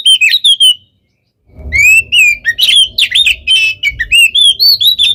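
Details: Oriental magpie-robin in provoking nonstop song, a few whistled notes, a short silence, then a fast flow of slurred whistles and chattering phrases.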